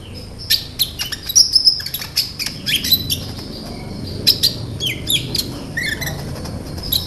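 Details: Lure song of a sunbird meant to draw responses from other sunbirds; irregular sharp high chips and short squeaky twitters spaced about half a second apart, with a low background rumble.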